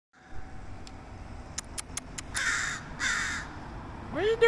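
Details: Strange crow noises in San Francisco: a few dry clicks, then two harsh, raspy, broad caws about half a second apart, ending as a person begins speaking.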